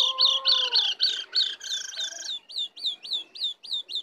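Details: Wild Oriental magpie-robin on the attack, repeating bright hooked whistles in a steady, rapid series, about five per second, over a faint lower sustained tone at first.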